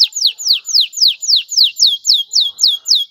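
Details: Male canary song to stimulate a female to mate and nest, a steady series of clear downward-sweeping whistled notes, about four per second, evenly repeated.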